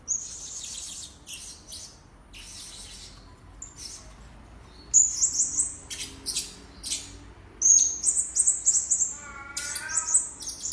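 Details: Blue-crowned hanging parrot calls played as a lure to attract birds: scattered buzzy high chirps, then bursts of very high, sharply trilled whistles, ending with a lower wavering harmonic note.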